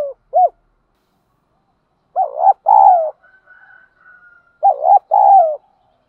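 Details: Spotted dove lure calls, with both male and female birds, used to stimulate other doves into cooing. A short coo, a pause, then two low phrases, each a wavering double note and a longer falling coo. A fainter high tone sounds between the phrases.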